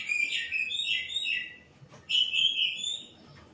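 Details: White-rumped shama giving two short, rich whistled phrases separated by a brief pause.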